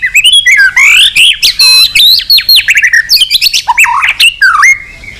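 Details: White-rumped shama pouring out a dense, many-voiced song to stimulate other shamas; loud rich whistles, swoops and warbled phrases follow each other almost without pause, ending with a long level whistle.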